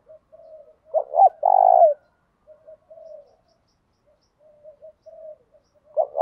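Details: A spotted dove sings in the thổ đồng voice to push males to respond. Soft low coos run between a loud phrase of two bent notes and a long rolling coo, which begins again at the end.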